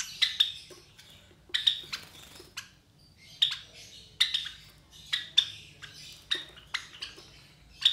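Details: Young White Java sparrow chicks, three of them about 23 days old and kept indoors, utter repeated high, sharp chirps and squeaky notes, often in quick pairs, roughly one burst a second over low room hum.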